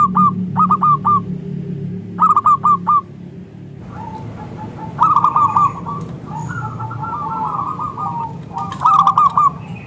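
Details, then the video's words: Local Indonesian zebra dove singing steadily, used as a lure to make other zebra doves answer; short bursts of quick, clipped cooing notes repeat every second or so, later overlapping fainter dove phrases over a low rumbling hum. "Perkutut Lokal Gacor SUARA Kristal TEBAL Jitu AHLINYA UNTUK pancingan perkutut NYAUT"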